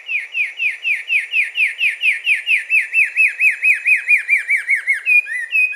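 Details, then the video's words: Repeated sharp upslurred notes from a Carmiol's tanager, delivered evenly about twice a second, softening slightly before ending in a couple of higher, clearer whistles. "O canto do Sanhaço esverdeado ( Chlorothraupis camioli )"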